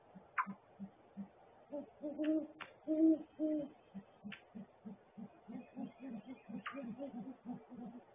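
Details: Male and female great horned owls inside the nest barrel; the female's hoot is not as low. Soft pulses lead into three loud hoots, then the rhythmic gular-like pulsing continues, with occasional knocks.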